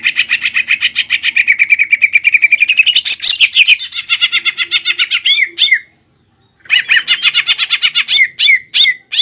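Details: Caged green leafbird in full song with borrowed phrases from sparrows, ciblek and kapas tembak, used to rile up another bird: rapid rattling notes rise into a buzzy trill, break off for a second, then resume with sharp whistled chirps.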